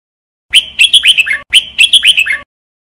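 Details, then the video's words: Red-whiskered bulbul, or jambul bulbul, trained to sing, delivering two matching phrases of clear whistled notes that swoop downward at the end. "Red Whikered Bulbul Jambul bulbul SINGING training"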